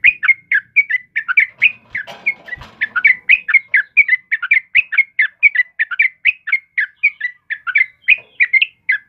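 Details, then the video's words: Yellow-vented bulbul in full lively song, used as a lure and tutor for caged birds: a continuous stream of bubbly, liquid chirping notes, roughly three or four per second, with a brief rustle and soft clicks in the background. "SUARA TRUCUKAN KEBO GACOR || Suara Burung Trucukan Kebo Asli Gacor buat pancingan dan masteran"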